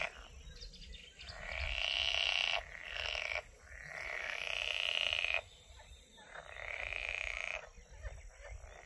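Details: Black-winged stilt at Izliv Soče nature reserve on 14 June 2024, giving harsh, nasal yelping calls in three loud bursts, each a second or two long, over a steady high hiss of insects.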